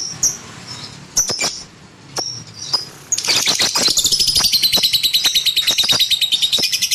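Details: Lovebird kept at home: scattered shrill chirps and clicks, then a fast, buzzy, pulsing high trill that starts loud and continues to the end.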